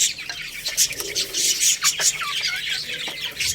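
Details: Lohmann Brown chicks, a little rooster and baby hen, feeding on rice; scattered short curved peeps, clearest in the second half, set against dense high crackling noise.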